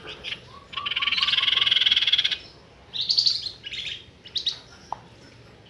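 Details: Flamboyan bird lure call used for trapping birds: a string of soft low whistled notes, then a dense buzzy rattling trill, followed by shorter buzzy bursts and a sharp click.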